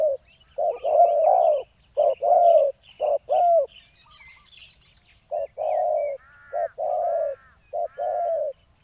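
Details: Spotted dove in a ground decoy setup, calling to a rival with grouped husky coos. A quiet gap sits midway before the coos return. Soft chirps and trills from other birds sound higher up.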